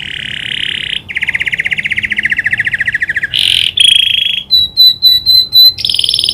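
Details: Canary trained to imitate the prinia's clicking call, loud and continuous: a fast buzzy trill of rapid repeated notes, a harsh burst, then a series of about six sharp high clicking notes and a final buzzy trill.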